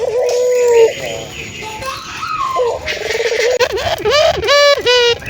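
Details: Local ringed turtle dove in full, frequent voice, used to stimulate other doves to coo: low rolling coos, then a run of quick bubbling notes that rise and dip, over a steady background hum.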